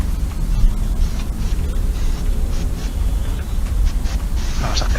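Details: Speech runs over a heavy low rumble, with faint music or traffic and no animal sounds.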